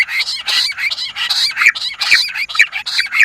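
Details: Bush quail calling, used as a lure: dense, harsh chirping notes overlap in fast, irregular bursts with no pauses.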